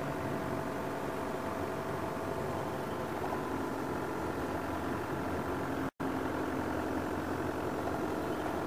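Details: Steady idling vehicle engine hum with broadband noise and a brief dropout, no animal calls.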